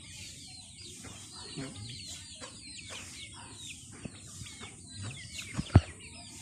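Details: Chickens feeding: a steady stream of short clucks and thin chirpy notes repeating every fraction of a second, with a few sharp pecking taps toward the end and a faint background hiss.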